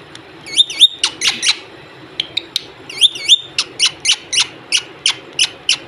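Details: Parrot indoors, giving bright whistled notes and rapid up-down warbles in bursts, followed by a steady run of short sharp chirps about three per second.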